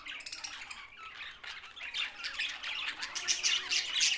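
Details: Budgerigars, Australian parrots, tagged Larkana, Sindh: dense overlapping chatter of many birds, rapid high squawks, chirps and warbled notes rising in intensity throughout, no pauses.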